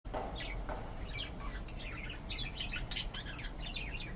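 A cockatiel gives a run of quick, bright chirps and short whistled notes over a low steady hum.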